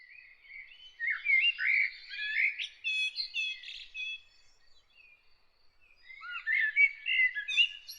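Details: Bird singing early in the morning: varied warbled phrases with slurred whistles and rapid trills, two bursts separated by a quiet pause of about two seconds, on a clean silent background.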